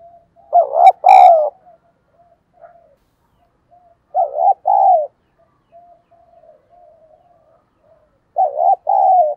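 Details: Spotted dove kept as a decoy, calling to attract wild doves in 'giọng thổ' style. Three paired coo phrases arrive roughly every four seconds, a short wavering note then a drawn-out coo, with faint low cooing between them.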